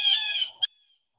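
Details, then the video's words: Two or three Blue Jays in bushes during local birding on 12–13 March 2021 give one harsh, nasal jeer lasting about half a second, then a brief clipped note and a faint thin whistle as it fades. "anyway what you mostly hear are the blue jays"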